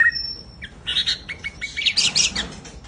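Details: White-rumped shama, a large kept bird, singing: a high thin whistle, then a fast run of varied chirps and bright trills, rising to a dense ringing burst near the end.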